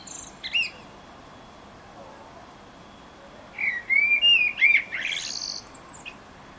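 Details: Eurasian blackbird singing in Utrecht, Netherlands, on 9 June 2014: a short opening note, a quiet gap, then a fluid phrase of slurred whistles ending in high squeaky twitters.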